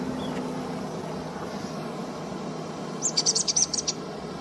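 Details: Gray-bellied shrike-tyrant at Chihuata, Arequipa, in the high Andes of southern Peru, gives a quick burst of about eight sharp, high chipping notes in under a second, over a steady low rumble of wind or distant traffic.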